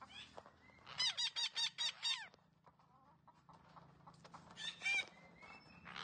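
A green parrot gives a fast run of about six harsh, squawky chattering notes, a pause, then another loud rasping burst with thin whistles.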